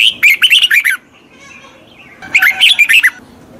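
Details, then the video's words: Red-whiskered bulbul song played to train a wild-caught bird's voice: two bright, warbled phrases of rapid liquid notes, each lasting about a second, separated by a quiet pause. "Tiếng chào mào luyện giọng chim bổi"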